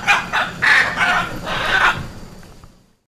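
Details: Hyacinth macaw uttering four or five quick, raspy squawks in about two seconds, each rough and grating, then the sound fades to silence.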